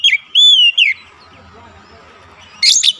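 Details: White-rumped shama (kacer), in therapy audio to make a silent bird sing: a few brief clear whistles at the start, then a low murmur, ending with a harsh burst.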